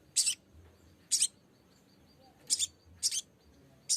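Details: Lesser green leafbird calling a rival, used as a lure to prompt singing: short, very high, harsh chirp bursts, some doubled, spaced irregularly half a second to over a second apart, with faint low background hum.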